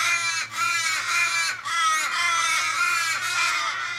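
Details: Distressed Australian ravens gathered around a dying companion, possibly struck by a car, in suburban Kellyville, Sydney, 1 July 2012. Harsh, long wailing caws overlap continuously, slurring downward, at about one per second.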